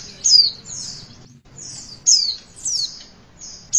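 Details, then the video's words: Javan white-eye phrases played to stimulate young birds to sing: a few separate high, downward-sliding whistled notes spaced by short pauses, with a faint low hum. "Pleci Bakalan Ikutan WITWIT ga pake lama Bikin Gacor!!!"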